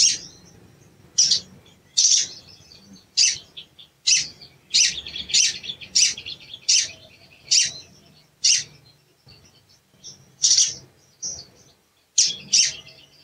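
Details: Sooty-headed bulbul chirping 'cuit cuit' as a provoking lure for a bird that will not sing: a busy run of sharp, high chirps, often in quick pairs, with brief pauses between bursts.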